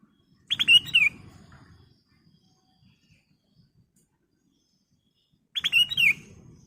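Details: Golden-fronted leafbird, caged, giving lure song phrases for training other caged birds: a short burst of sharp notes with slurred falling whistles, repeated after about five seconds of near silence.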